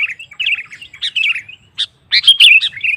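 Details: Sooty-headed bulbul in full song, meant to goad other males: quick warbled chirps in two bursts separated by a brief pause, with little background noise.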